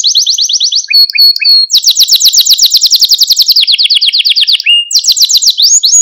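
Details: Stimulation song of a Malta canary: a high rolling trill, a few short paired whistles, then long fast buzzy tours changing pitch step by step, ending in another quick high roll.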